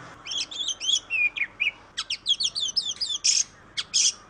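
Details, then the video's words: Oriental magpie-robin, locally called kacer: fast sequence of bright whistled slurs and downward sweeps, then a run of repeated chirps and two loud harsh buzzy notes near the end. "KICAU BURUNG KACER YANG MERDU || MAGPIE ROBIN VOICE"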